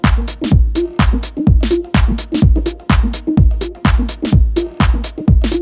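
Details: Electronic dance music with a heavy, regular thumping bass beat about once a second and sharp percussive hits between the beats.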